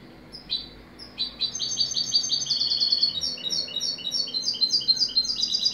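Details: A European goldfinch sings, starting with a few scattered chirps before breaking into a rapid, liquid twitter of high, clipped notes and short buzzy trills that runs without pause to the end.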